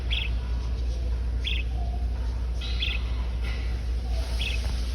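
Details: A pet budgerigar visiting a pet store after his annual vet visit chirps to the store's budgies. The short, bright notes come about once a second over a steady, low indoor hum.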